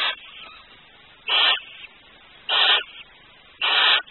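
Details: A male barn owl responding to a chick cheeping inside its egg. He gives harsh, breathy hissing bursts, each about a third of a second long, repeated roughly every 1.2 seconds, with a soft fainter rasp between them.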